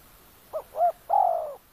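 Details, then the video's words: One cooing phrase from a decoy spotted dove luring wild doves, oil palm garden, Kampung Luagan, Sabah: a soft short note, a rounded coo, then a long, slightly falling, vibrating coo. "Suara tekukur enak"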